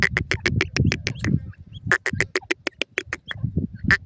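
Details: Grey francolin, male and female, giving a rapid string of sharp, clicky pulsed notes, several each second, with a brief pause midway before the rattling series resumes, over low background rumble.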